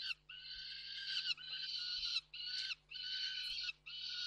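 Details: Peregrine falcons recorded at Reda Koksik, 29 June 2024, with three birds present: long grating wails, each about one second, given in close succession with only short gaps between them.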